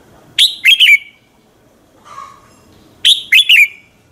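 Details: A red-whiskered bulbul's morning competition song, used as a lure bird to make others sing: two crisp phrases of three or four bright slurred whistles, with a faint lower note in the gap between them.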